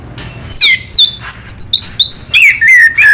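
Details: Anis merah, the orange-headed thrush of Indonesia, sings a lively, continuous string of high, clear whistles and downslurred chips, changing note shape every fraction of a second.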